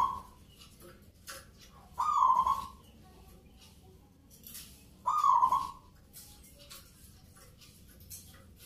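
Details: Zebra dove, a local bird competing at a Saturday-night Nglagu Ngepat Mentaraman song contest in Yogyakarta, Indonesia. Strong cooing phrases come about every three seconds, with one cut off at the start, over faint background noise.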